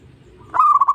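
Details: Zebra dove song used as a lure to prompt other doves to sing: a single, brief phrase of wavering, pulsed cooing on an even pitch.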